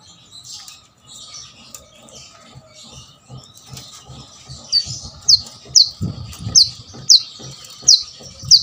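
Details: A plain-throated sunbird's lively song, used to prompt idle birds to sing, opens with soft chatter and rustling, then sharp high descending notes come about every half second.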